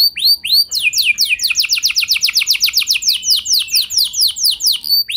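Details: Canary lure song meant to prompt other canaries to join in, long and continuous: looping whistles give way to a rapid run of steep descending high notes, about four a second, then more hooked chirps.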